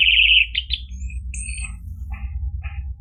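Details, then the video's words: Orange-headed thrush song played to prompt a caged bird that has stopped singing. A loud dense trill opens, then scattered thin high whistles and short chirps fade over a background hum. "PANCINGAN ANIS MERAH biar bunyi NYAUT JADI GACOR NGEPLONG ampuh buat terapi macet bunyi"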